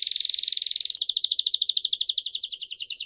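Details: Belgian canary singing: a fast, even trill of rapid repeated notes, then a switch at about one second to a higher, buzzier trill of doubled pulses that continues to the end. No other sounds.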